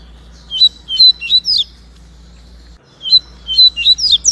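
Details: Double-collared Seedeater (coleiro) in a singing dispute between white-breasted and yellow-breasted Baiano birds, singing two quick bursts of bright, chirpy, slurred notes, each about a second long, over a low steady hum.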